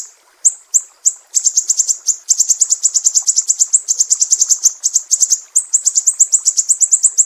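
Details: 'Besetan' call of a mangrove whistler from Sumatra, a master recording for songbird training: a few spaced high chips, then a long, fast, almost continuous stutter of piercing notes.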